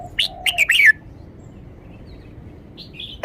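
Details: Caged red-whiskered bulbul showing off its song phrasing, each note clear and stressed: a quick burst of four or five bright whistled notes rising and falling within the first second, then near silence with one faint short whistle at the end.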